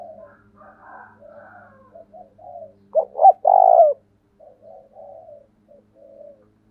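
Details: Spotted dove kept as a decoy to call wild doves in: gentle murmured coos, then one loud, deep, two-part coo that swells and ends abruptly, followed by softer trailing coos. A faint low hum runs underneath.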